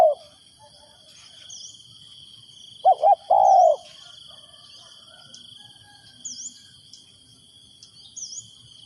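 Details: Spotted dove used as a lure for wild doves gives one cooing phrase of two clipped notes and a longer coo, then quiet with steady insect buzzing and faint chirps.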